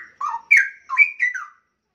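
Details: Young caged straw-headed bulbul, about one year old; a short rich whistled phrase of four liquid notes that rise and fall and break off within under two seconds.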